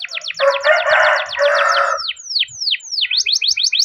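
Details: Canary in a long roll to get other canaries singing: quick down-slurred notes over a loud rough buzzing layer, then slower sweeping whistles and a fast high trill.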